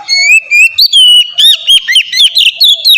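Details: Oriental magpie-robin song used as a lure for other magpie-robins: sustained clear whistled notes sliding upward, followed by quick warbling phrases and short chips, bright and continuous throughout.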